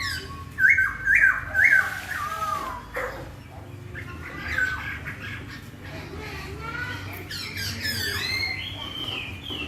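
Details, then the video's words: Melodious laughingthrush song that sets other laughingthrushes answering: loud rising whistled phrases early on, then softer, varied warbled and slurred notes continuing under a low background hum. "KICAUAN POKSAY YG MERDU MEMBUAT POKSAY LAIN LANGSUNG NYAUT"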